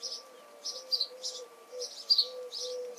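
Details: House sparrow recorded in June 2020 on a Canon camera, giving sharp high cheeps in loose clusters about once a second, with a soft constant background tone underneath.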